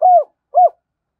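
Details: Decoy Spotted Dove kept for luring and challenging wild males; two short, hollow, slightly falling coos half a second apart, then silence.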